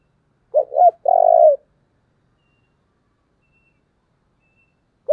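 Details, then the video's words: Decoy spotted dove calling to provoke wild doves: one full low phrase of two brief hoarse notes and a sustained, purring coo, then quiet and the start of the next phrase. "Cu mồi thúc vầy chịu gì nổi"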